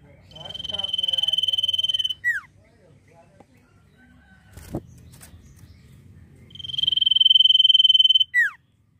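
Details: Common iora singing in full 'nyiul' style repeats its phrase twice, several seconds apart. Each is a long, pulsing, level whistle that builds in volume and ends in a falling slur. Soft clicks and a knock fill the gap.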